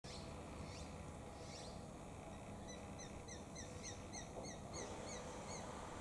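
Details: Juvenile Japanese sparrowhawk calling, probably to its parents: rapid series of short, thin, falling high notes repeated several times a second from midway on, over steady outdoor background noise.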